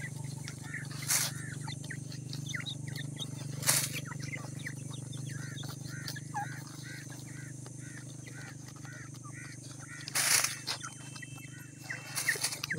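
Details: Grey francolin chicks about ten days old cheep during feeding in regular runs of short arched peeps, several chicks together, broken by a few loud rustling bursts, all over a low background hum.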